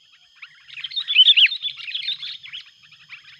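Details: Sooty-headed bulbul chattering loudly as a rival arrives: a continuous, tumbling run of bubbly, slurred notes for about two seconds, loudest near the start and fading toward the end.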